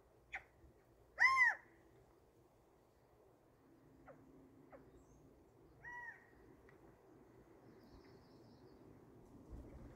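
A California quail gives one loud, nasal, arched call early on, then a softer, flatter call a few seconds later, with scattered faint ticks over quiet background.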